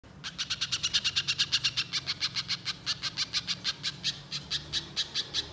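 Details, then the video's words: Spiderhunter (pijantung) in full, energetic voice, giving a long 'nyerecet' chatter meant as a lure sound for wild birds: a rapid, even series of harsh, high chipping notes, about five per second, continuing throughout. "Masteran Pijantung Gacor Nyerecet Panjang Untuk Suara Pikat Di Alam Liar"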